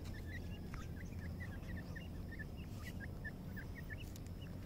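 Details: Black francolin chicks feeding, giving a steady stream of short, high, hooked peeps repeated several times a second by more than one chick, over a constant low rumble of background noise.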